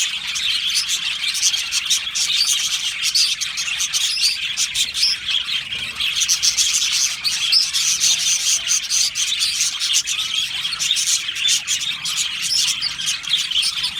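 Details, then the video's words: Many Australian budgerigars in a colony aviary singing and chirping; a long unbroken stretch of busy, overlapping chirps and buzzy warbles, even in loudness, voices impossible to separate. "Budgie singing and chirping sounds"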